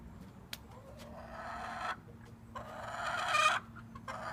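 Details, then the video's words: A chicken gives two drawn-out, harsh, raspy calls, the second louder and swelling toward its end, over a faint steady hum and a couple of sharp clicks. "That Annoying Chicken Noise!"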